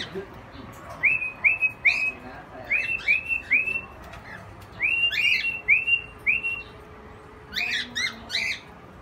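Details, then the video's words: Rose-ringed parakeet (Indian ringneck) in an aviary in Quezon City, giving short, harsh, upslurred squawks in quick runs of three or four, with brief pauses between bursts and a faint hum behind. "Indian ringneck"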